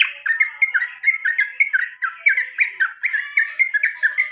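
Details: Male yellow-vented bulbul (trucukan) repeating its 'garuda' style call, used as a lure to set off other birds. Quick series of squawky, bubbly notes, about a dozen short phrases in four seconds, sliding up and down.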